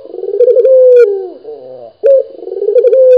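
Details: Single local Barbary dove giving a throaty purring coo that fades downward. A fresh phrase starts sharply about two seconds later and climbs into a vibrating trill ending in a held note.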